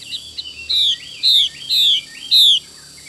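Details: Xùy call of a female Chinese hwamei: four bright, falling whistled notes in quick succession, with soft looping lower notes around them and light background noise.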